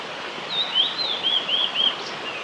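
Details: Male blue-and-white flycatcher singing at Oiso, Kanagawa, Japan, on 21 May 2016. A flowing series of clear, high whistled notes slurs up and down in quick looping phrases, then ends with a short separate note, over soft outdoor ambience.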